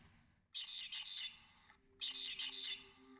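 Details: Medium ground finch song from the Galápagos Islands: two high, buzzy bursts of rapid harsh notes, each under a second long and about one and a half seconds apart, over a faint low hum.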